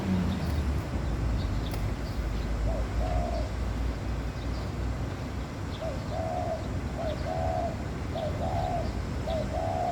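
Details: Courting laughing dove giving gentle mellow coos, one phrase early, then four quick paired phrases of a short lead note and a longer bubbling note near the end, with low background rumble throughout.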